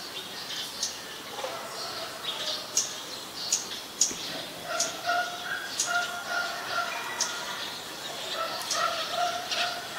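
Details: Scarlet-backed flowerpecker, a very common resident in Ubon Ratchathani, Thailand, on 5 February 2020, giving sharp, high, clicking tik notes at irregular intervals over a bed of lower whistling birdsong and steady background hiss.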